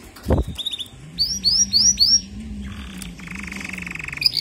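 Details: A canary sings a fast run of bright, rising whistled notes, then rapid buzzy trills, over a low steady hum; song played to encourage weak-singing canaries to sing.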